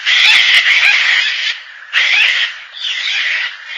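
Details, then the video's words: Gang-gang cockatoo making one long, scratchy, creaking screech, then two shorter rasping calls, each separated by a dip in loudness. "Gang Gang Cockatoo"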